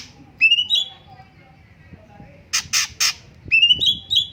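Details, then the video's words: Cucak cungkok song: rising whistled notes at the start and end, separated by a pause and three harsh, raspy bursts. "BURUNG CUNGKOK MASTER SUARA BAGUS JEDA TERAPI ALAMI"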